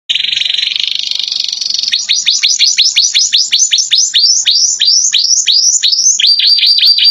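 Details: Domestic canary singing with fills copied from bar-winged prinia and Java sparrow. It opens with a dense, buzzy, high trill of almost two seconds, then a fast run of downward-sweeping whistles about five per second, ending in quicker, higher sweeps.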